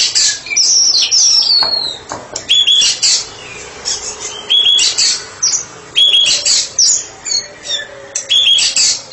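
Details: White-rumped shama, kept as a therapy bird, in 'ngeplong' song: a high descending opening flourish, then loud repeated phrases of a ringing whistle joined to harsh high chatter, recurring about every two seconds.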